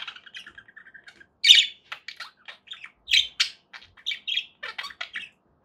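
A budgerigar chatters in high, scratchy warbles broken by loud, harsh squawks.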